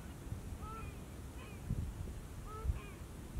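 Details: Whooper swans calling in Bojaq National Park, where mute swans are also present: several short, nasal, honking calls with a bugle-like ring, some rising and falling, scattered through the clip over a low background rumble.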